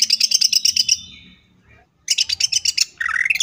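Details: Greater green leafbird (cucak ijo) with a second-long rapid trill of bright high chips, a short silence, another fast volley, then a lower warbled rising phrase, in tembakan style.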